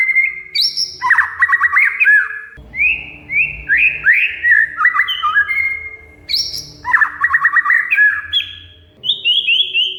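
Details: Oriental magpie-robin in captivity, singing as a lure to prompt a silent bird: bright whistled phrases, rapid rising note series and brief harsh chatters alternating, steady low hum in the background.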